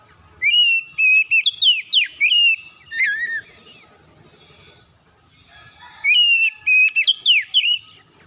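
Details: Oriental magpie-robin singing in the morning, loud and vigorous: a varied phrase of clear whistles, sweeping slurs and sharp high notes, a pause of about three seconds, then the phrase begins again.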